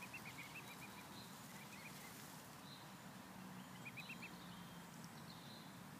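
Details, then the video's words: Swan family resting on grass after being fed swan food: soft, high thin peeps in quick short runs near the start and again around the fourth second, over a steady broadband outdoor hiss. "Swan family on the grass sated by swan food and is doing peep peep"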